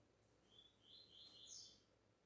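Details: Pure tuí tuí deep song of a Double-collared seedeater, meant for teaching young birds: a continuous run of rapid, high, bright notes rising and swelling in the middle before fading, against soft background hiss.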